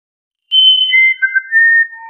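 Musician wren: a short run of pure, flute-like whistles stepping from high to lower pitch, with a few notes briefly overlapping, in a quiet setting.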